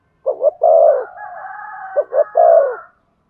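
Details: Spotted dove coos meant to stimulate a decoy bird: two short notes and a long coo, twice, overlaid by a steady higher humming tone between the phrases.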